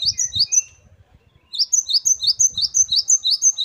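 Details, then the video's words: Gelatik batu, the great tit, opens with a few scattered high notes, then after a pause launches into a rapid run of bright repeated chirps; low thumping handling noise in the background. "Gelatik Batu Gacor Variasi Mewah. Great tit. Singing birds. Parus Major."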